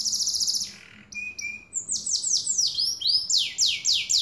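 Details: Caged canary song opening with a high trill, a short low buzzy phrase and brief pause, then a string of loud falling whistles repeated rapidly.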